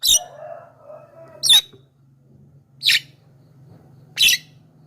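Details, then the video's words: Javan myna voice used as a lure to draw in wild mynas, four harsh, broadband scratchy notes spaced about 1.4 seconds apart, with a steady low hum underneath. "SUARA BURUNG JALAK KEBO"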